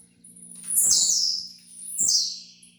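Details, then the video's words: Blue-black grassquit (tiziu) giving two long buzzy notes that start very high and fall away, roughly a second apart, as a song for training other birds; faint hum and clicks behind. "TREINE SEU TIZIU AGORA MESMO"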